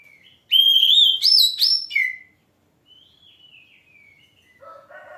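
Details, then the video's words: Oriental magpie-robin singing in full voice: a loud whistled phrase climbing to high ringing notes and falling away, followed by quieter, softer whistles and faint lower notes. "Kicau burung kacer Mantap keren langsung gacor"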